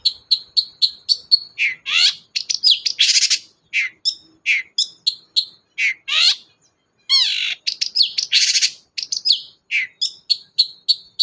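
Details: Long-tailed shrike singing to coax a quiet bird into song: rapid series of sharp high chips, interspersed with harsh buzzy rasps and downslurred squeaks, steady busy rhythm throughout.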